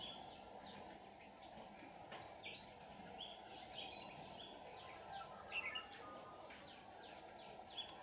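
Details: Red-whiskered bulbul of the white-cheeked type, singing as a lure bird during early-season trapping on 18 June 2019. Short bright whistled phrases come in clusters every second or so against steady rural background noise.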